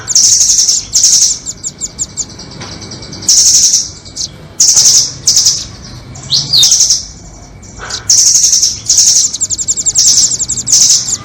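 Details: Nuthatch lure for trapping, red-billed versus doraemon type: repeated shrill trilling bursts, some long and rattling, others short chips, with a few rising swept notes amid a soft steady hum.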